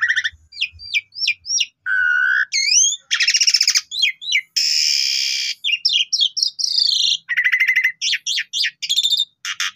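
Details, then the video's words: Young Asian pied starlings in a varied song played to spur other starlings to sing: quick clicky chirps, whistled slurs, loud grating rasps and a long harsh hiss-like burst amid bright repeated squeaks. "Pancingan Semua Jalak Suren Paud Agar Suara Jalak Suren Bagus Gacor Bongkar Isian"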